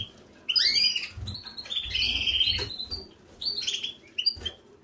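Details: Canary bathing: bright, high chirps and short rising whistled notes come in bursts, mixed with low splashing thumps of water and wing flutters.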